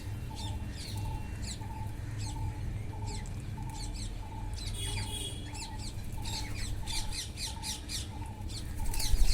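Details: Wild parrots feeding: dense, rapid chatter of sharp, high squawks, denser toward the end, over a regular mid-pitched pulse about once a second and low rumbling noise.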